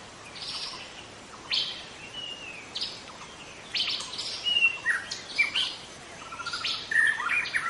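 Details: Wild young white-rumped shama in forest, delivering spaced bursts of high chips at first, then quicker clear whistled notes and trills building in the second half.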